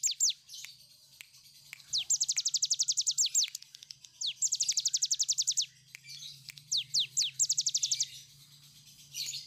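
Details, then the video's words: Tiger shrike singing ngebren-style: scattered slurred high notes lead into rapid runs of piercing, descending notes, over a steady low hum. "Cigun gacor ngebren panjang"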